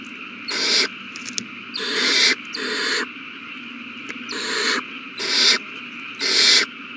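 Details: Owl chicks begging at feeding time on March 27, 2020, all babies eating well: grating hissing screeches of half a second, some in close pairs, repeated six times with faint clicks between.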